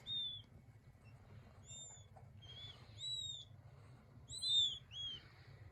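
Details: King quail chicks calling: thin, high whistled peeps with slight downward curves, given singly and in small clusters with pauses between, over a low steady hum.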